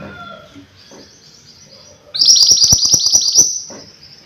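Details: Mountain white-eye singing energetically: after two seconds of faint, thin chirping, a loud burst of rapid, sharp, high twittering notes runs for about a second and a half, then fades back to soft chirps.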